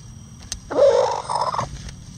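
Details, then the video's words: Bantam rooster crowing: one short, loud, warbling crow lasting about a second, fairly high and slightly rough, over a quiet background. "Rooster Crowing"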